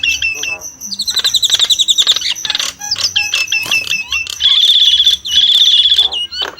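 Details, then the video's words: Nias hill myna song opening with fast repeated whistles, then long steady ringing whistled notes with short breaks between them. "the alluring sound of the Nias starling"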